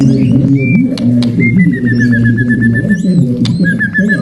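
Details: Male white-rumped shama giving its long ngalun-style song, used to stir other birds and train young shamas; a run of repeated whistled notes falling slightly in pitch, over a steady low cooing background.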